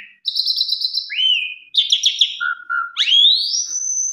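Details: Asian pied starling (jalak suren) lure song for stirring quieter birds to sing, packed with imitated phrases. A trilled high note, a rising slurred whistle, a low wavering whistle and a long upward-sweeping whistle.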